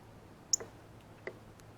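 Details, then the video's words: Male Northern Cardinal feeding alone at a feeder on a ripe banana, uttering one sharp, high, clipped chip followed by a softer second click within two seconds, against low steady background hum. "Cardinal 🐦Meets Banana - Feeding Chirp Sounds"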